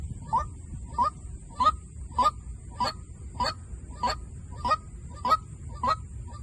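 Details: Decoy calling of a white-breasted waterhen, ten regular harsh honks repeated roughly every 0.6 seconds, each with a short upward-bending tonal start, steady throughout, with low background rumble and a constant thin high-pitched hum.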